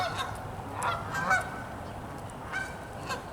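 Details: Cold Canada geese on an icy, freezing pond. Clustered honks arrive early, then a pause, then two more harsh honks near the end, with a faint rumble in the background.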